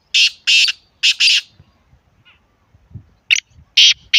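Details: Francolin (teetar) call from Islamabad, used to prompt silent captive birds to start calling; loud, harsh, buzzy notes in two quick pairs, then three more after a pause, with faint low rumbling between.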